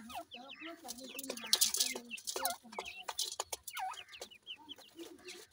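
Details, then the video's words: Young grey francolins at play produce busy high peeping, many short up-and-down chirps from several chicks overlapping, with scattered clicks and brief bursts of rustle. "goray teetar kay goray bachay in the playing,chicks voice"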